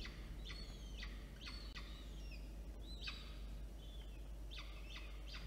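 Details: Two peregrine falcon chicks, one older and one younger, being fed at Orange, New South Wales, Australia, on 9 October 2022. Harsh, rasping begging bursts come in clusters about every half second, with thin whistled notes and a steady low hum.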